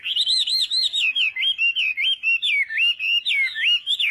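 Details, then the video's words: Chinese hwamei singing at morning practice, an unbroken string of clear, wavering whistled notes rising and falling, about one per second-fraction, loud and close. "hoạ mi hót sáng luyện giọng"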